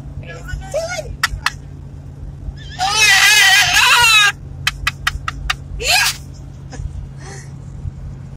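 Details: Three pet cockatoos riding in a car on a long trip from Arizona to Iowa; a loud, harsh, noisy screech lasts over a second, with a shorter rising squawk later, scattered clicks and a steady low engine hum.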